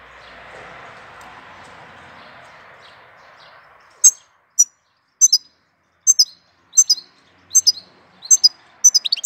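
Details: Bird song in April: after a few seconds of soft hiss, short high chirps sound about every half second to second, crisp and clear against silence.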